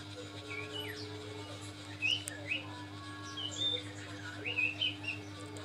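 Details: Common iora, sung to stimulate untrained birds: scattered short whistled notes and upslurred chirps, some sharp and bright, spaced irregularly over a steady low electrical hum.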